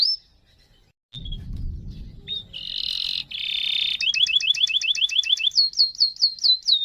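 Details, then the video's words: Singing canary with a long roll used to coax other canaries into song: brief whistle, low rumbling background, then dense buzzy trills followed by fast repeated down-slurred whistled notes and looping chirps, steady and loud. "Burung KENARI Gacor ngerol Panjang ini suaranya bikin cpt memancing KENARI Lain Rajin BUNYI"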